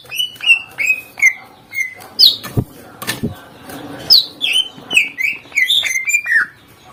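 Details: Greater green leafbird singing a full, varied song meant to make other birds answer aggressively: loud whistled notes in quick succession, many sliding downward, with higher rising slurs and a few sharp clicks between phrases.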